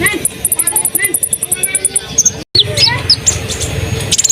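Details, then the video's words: Lively Asian pied starling singing to provoke other birds to sing: rapid runs of high thin ticking notes, then a short break followed by scattered sweeping whistles and chirps over faint background noise. "konin gacor bikin bahan terangsang ikut bunyi"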